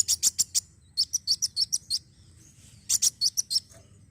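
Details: Sunbird (kolibri wulung) song used to prompt another bird to sing: very high, thin, sharp chirps in quick bursts of four to seven notes, with brief silent gaps between the bursts.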